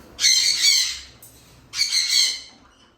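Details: Cockatoo parrots giving two loud, harsh, raspy screeches, each lasting about a second and separated by a short pause, broad and noisy in tone, with little else heard.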